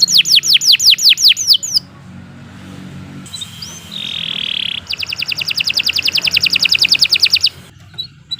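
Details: Canary song used for training other birds, long fast continuous phrases: rapid series of descending whistled sweeps, then a dense buzzy trill, then a fast repeated rattling trill of many notes; steady low hum beneath.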